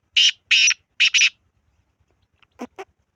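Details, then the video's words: Black francolin giving loud, harsh, rasping notes: two separate bursts, then a closely spaced pair, followed after a pause by two fainter, lower clicks. "کالا تیتر کی مکس آوازیں"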